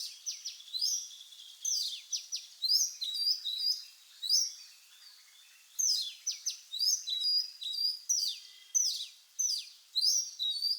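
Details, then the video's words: Oriental magpie-robin (Copsychus saularis) singing: phrases of high, sharp downslurred notes mixed with clear whistled trills, delivered in bursts about every two seconds with short pauses between, against a quiet background. "Oriental Magpie-Robin Singing"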